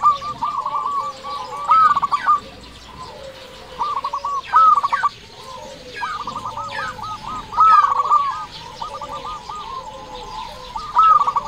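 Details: Zebra dove of local stock, kept as a lure for other doves, gives repeated rolling trilled coos in short bursts of stuttering notes, with quieter dove cooing and soft chirps running underneath throughout.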